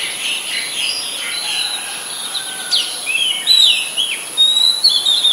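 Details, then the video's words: In Ubon Ratchathani, Thailand, on 17 July 2022, an Oriental magpie-robin (Copsychus saularis) sings a varied run of clear whistles, slurred sweeps and short warbled notes over a steady, thin, high-pitched hum. "นกกางเขนบ้าน Oriental Magpie Robin (singing)"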